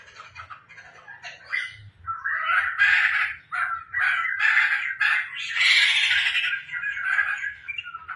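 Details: Laughingthrush kept in the home, tame and in lively song: quiet, choppy notes at first, then a loud, continuous run of rapid, rough-edged chattering phrases with bright overtones.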